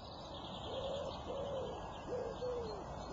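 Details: Birds in a dawn chorus: soft, low cooing notes, a pair of short coos followed after a pause by two more drawn-out ones, over a steady background hiss with faint high twittering.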